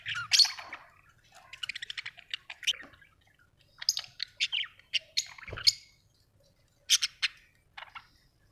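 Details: Budgerigars kept at home chattering in bursts of quick, high, scratchy chirps and short warbled notes, with pauses between groups and a brief low thud near the middle.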